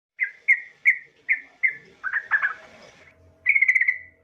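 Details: Female yellow-vented bulbul calling a male: a run of five short, evenly spaced chirps, then rougher chattering notes and a final quick rippling trill.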